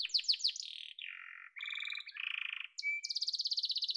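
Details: Song of a yellow canary: quick falling sweeps, a low buzzy roll, rattling trills, a single pure whistle, then a rapid high trill repeated evenly to the end.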